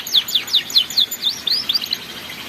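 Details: Canary singing in the ngeriwik style, a master recording for young canaries learning to sing: quick, high, sharply falling chirps repeated about five times a second in a bright, lively run.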